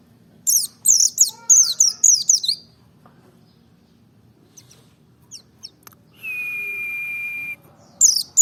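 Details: Lure song of a Merapi ngalas white-eye for stirring other birds into song: a two-second burst of rapid, falling high chirps, then quiet, a few scattered notes, a long steady whistled tone, and another chirp burst at the end.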